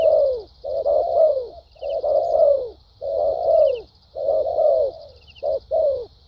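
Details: Caged decoy spotted dove in thúc gù and lèo dặm style gives loud, long, rolling coos that dip in pitch, about four long phrases and a final short-long pair, with a faint high insect drone.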